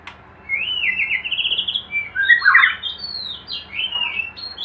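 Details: Hanging-cage white-rumped shama, kept for breeding, pours out a continuous, energetic song of trilled whistles, a dense warbled middle section and high sliding notes.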